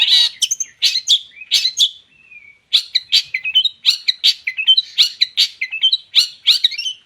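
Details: Long-tailed shrike singing, used as a lure to make other birds sing: rapid, harsh chattering notes with short scratchy trills and a brief thin whistle, repeated in fast bursts.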